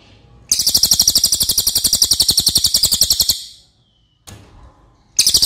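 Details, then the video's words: Loud cililin (racket-tailed treepie), kept as tutor song for other birds, delivering a fast run of sharp high notes for nearly three seconds, a pause with a faint rustle, then the same rapid series starting again. "MASTERAN CILILIN OKE BANGET"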